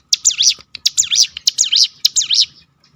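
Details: Rolled 'tembakan' phrase of a Crested honeyeater (ciblek gunung), meant to prompt other birds to sing: four bright, high, wavering chirps in quick succession, each with a sharp click before it, spaced about half a second apart.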